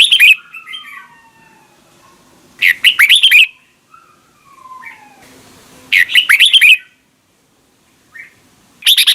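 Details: Double-note morning song of a red-whiskered bulbul in a mature wild style. Loud warbled phrases come roughly every three seconds, with quieter, falling, whistled notes between them.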